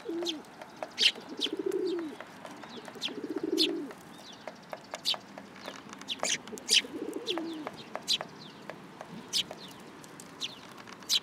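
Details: Sparrows gathering on a person's hand at a Tenmangu shrine on 8 July 2022. Sharp chirps repeat steadily throughout, over deep rolling pigeon coos in the first half.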